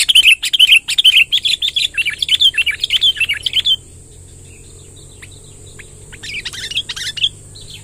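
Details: Wild sooty-headed bulbul delivering a long rolling song, nearly four seconds of rapid, looping, bubbly notes repeated without pause, then quieter with a few faint notes, over a steady high hiss.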